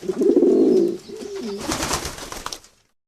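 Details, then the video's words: One deep, throbbing pigeon coo lasting about a second, followed by softer wavering notes and a loud rustling burst like wings flapping before silence. "natural pigeons chirping, pigeons sound effect.pigeons flying sound"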